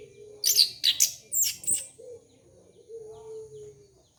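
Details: Orange-headed thrush song played to lure young birds: several high, scratchy chirps in quick succession, followed by a drawn-out low steady tone.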